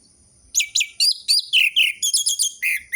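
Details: Orange-headed thrush song used as a lure to stimulate captive birds that have stopped singing: after half a second of quiet, a rapid run of varied high chirps and trills, dense sweeping notes following one another without pause.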